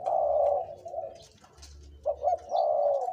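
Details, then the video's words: Two-to-three-year-old spotted dove used as a decoy, giving a loud purring coo, a short pause, two quick hooked notes, then another long coo. "นกต่อ เสียงใหญ่(เจ็กหัวโต)และเสียงกลางกับเสียงเล็ก จ้วดๆ ครับ"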